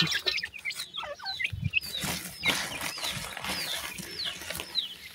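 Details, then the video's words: Black francolin chicks calling for their mother. High whistled peeps slide downward, repeated steadily, over a hissing background with a few soft thumps. "pheasant bird chicks calling mother,sindhi titar k bacchay"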